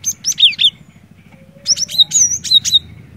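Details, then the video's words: Cinereous tit in full song, used to prompt a quiet bird to sing: two bursts of rapid, sharp high whistled notes, repeated in short series, with a faint low whistle between and a steady low hum underneath. "Burung Glatik Batu Gacor, Cocok Buat Mancing Glatik Malas BUNYI"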